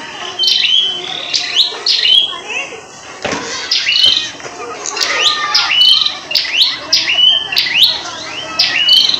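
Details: Market-bought prinia singing energetically, with long runs of quick, sharp, slurred chirps repeating steadily, a brief pause midway, over murmuring voices and a faint background hum.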